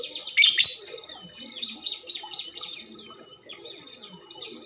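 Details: Female lovebird calling, used as a lure to get other birds singing: shrill high chirps and squeaks, a loud harsh burst near the start, then wavering short notes repeated in quick succession.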